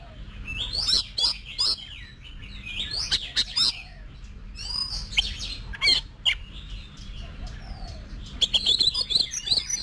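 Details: Competition-trained Oriental magpie-robin: high varied whistles and rapid chatter in several bursts, some notes sliding, with sharp clicks and a constant low hum underneath.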